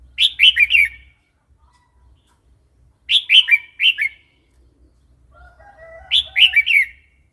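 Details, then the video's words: Red-whiskered bulbul wild song, used to coax new, wild-caught and young birds: cheerful phrases of four quick gurgling notes, repeated about every three seconds, one followed by softer low chatter. "เสียงนกกรงหัวจุก เพลงป่า"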